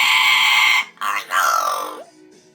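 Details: A pet rescue parrot, out of its cage in the evening at home, gives its harsh, flat, grating alarm call, the "flat call", in two loud bursts, the second trailing slightly downward.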